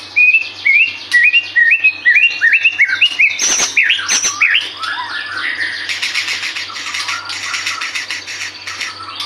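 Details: White-rumped shama in energetic full song, used as a lure to prompt other birds to sing: a series of short rising whistled phrases repeated about twice a second, then a loud complex burst and rapid bright chattering trills.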